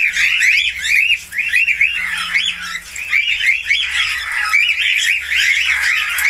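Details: Steady chattering warble from a budgerigar: rapid looping chirps run without pause, rising and dipping, over a low mechanical hum.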